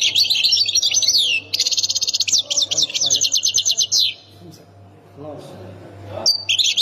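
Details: Ain Defla province goldfinch of the Khemis Miliana sector singing long, energetic runs of high buzzy twitters and fast repeated chirps, a brief lull, then a sharp sliding note and renewed twittering, steady low hum throughout.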